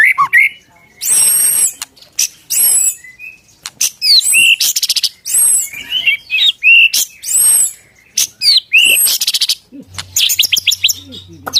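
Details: Caged white-rumped shama in full song, a varied run of loud whistles, sharp clicks and harsh buzzy bursts, with arched high notes and rising slurs alternating rapidly for over ten seconds.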